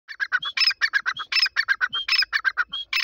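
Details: Grey francolin, a teetar of either the Desi or the Dakhni local type, giving a fast, uneven run of harsh, squawky notes about three per second, some louder and broader, with no other clear sounds.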